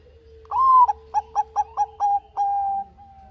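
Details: Zebra dove of Bangkok type singing strongly as lure audio: a rising first note, five short bouncing coos, then a long steady note over a faint low background tone.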